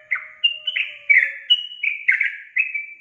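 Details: Yellow-vented bulbul singing energetically: quick, bubbly whistles and rolling chirps in steady succession, with a faint low tone at the start.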